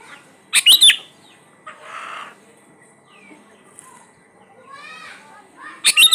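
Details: Sooty-headed bulbul lure song, used to prompt birds that rarely sing. Loud, clipped chirping bursts open and close the recording. Quieter warbles, a short buzzy note and a run of rising whistles fall in between.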